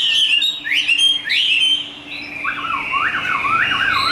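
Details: Caged, fully tame Chinese hwamei giving fighting song: sharp upslurred whistles and fast chopped notes, then lower repeated zigzag phrases after a brief dip in volume.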